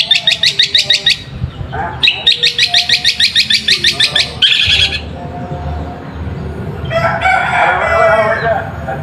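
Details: Long-tailed shrike song used as bait to trigger other shrikes. Brisk rows of grating notes repeated roughly three per second in bursts, then a fuzzier, jumbled warble later on.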